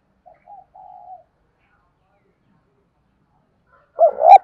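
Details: Spotted dove coo meant to provoke wild doves into answering: soft, distant broken coo notes in the first second, a long quiet pause, then a sudden loud close coo near the end.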